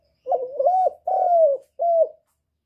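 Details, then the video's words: Spotted dove, a call to stimulate birds: one clear phrase of deep, soft coos, a wavering rising start, a long slowly descending note and a short final coo, with nothing else audible. "Cu Gáy Giọng Cực hay kích bổi hiệu quả nhất, terkukur"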